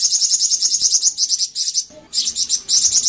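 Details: Flamboyan bird singing a steady, rapid stream of sharp high notes that drops out briefly near the two-second mark, then resumes.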